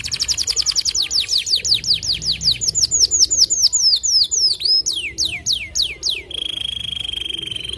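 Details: Long-burst song of a white canary: quick repeated high slurred notes that slow into sweeping whistles, ending with a steady, thin, buzzy trill.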